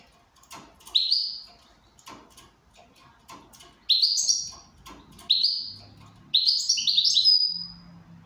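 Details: Goldfinch in good condition with steady clicking in the background, giving several short, bright chirps that build into a longer, tinkling twittered phrase ending in a thin whistle, plus a low hum.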